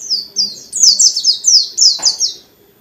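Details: White-eye (pleci dakun) singing nonstop in a dense, unbroken 'ngalas' style with many fill-in phrases, meant to provoke other white-eyes into singing; rapid run of thin, high, downslurred whistled notes in quick succession, a sharp click near the end.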